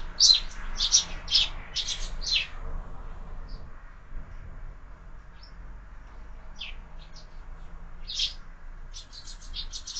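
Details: Sparrows at a feeder mounted on a window, breakfast; a quick run of loud chirps at the start, then sparse single chirps and short pairs after a quiet stretch.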